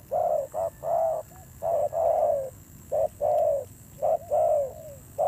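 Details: Spotted dove decoy bird with a fierce-sounding voice. It repeats low, resonant coos in short-long pairs, some longer notes sliding downward at the end. Quiet rumble in the background.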